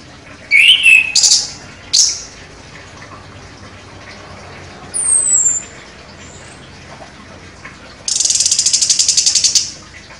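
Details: Chestnut-capped thrush (anis kembang), a contest champion, singing sharply: a few whistled and buzzy notes, a high descending whistle, then a rapid rattling trill near the end.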